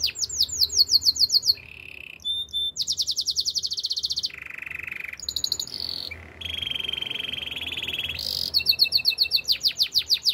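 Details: Master canary singing: bursts of rapid downslurred whistles, then a low buzzy roll, a long fast bright trill, a deep rattling roll, and a closing run of sweeping notes.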